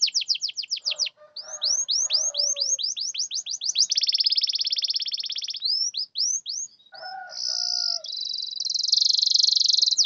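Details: Canary song meant to coax mute canaries into singing: quick descending whistles, then rising chirps, a long high buzzing roll, more swoops, and a closing extended trill, with soft lower chatter underneath.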